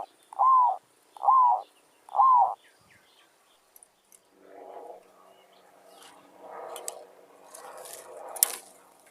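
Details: Wild zebra dove, described as a fierce forest bird, met during trapping with a lure: three short, evenly spaced mid-pitched coo notes about one second apart, followed by rustling and handling noise.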